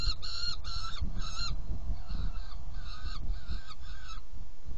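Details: Saker falcon in a nest box during a feeding on 17 June 2018 at 10:31, giving repeated rasping calls, four loud ones then several softer ones about every half second, over continuous low hum.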